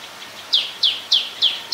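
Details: Black-collared starling, also called Black-collared myna, recorded in Ubon Ratchathani, Thailand, on 10 November 2021: five sharp, high, downslurred notes, each about 0.3 seconds apart, over faint background hiss.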